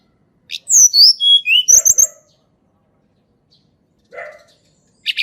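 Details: Blood-breasted flowerpecker singing in a natural recording meant as a lure for birds that seldom sing: a burst of high, piercing, descending whistles and twitters with a few low clicks, then near silence broken by a brief rasp and a final high note.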